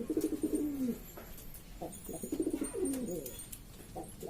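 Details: Domestic pigeons of several types from Lombok, Indonesia, a hobbyist's noisy flock; bursts of deep rolling coos, each phrase a quick pulsing run ending in a falling drawn-out note, repeated about every second, with light clicks between.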